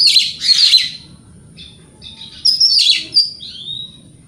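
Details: Provoking song of a white-rumped shama: harsh buzzy bursts followed by a clear descending whistle, with a faint low hum beneath.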